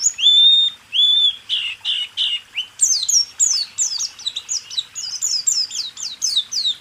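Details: Caged white-eye song used as a training recording for songbirds, opening with two long clear whistles, then buzzy notes and a rapid run of high, sharply sweeping chirps.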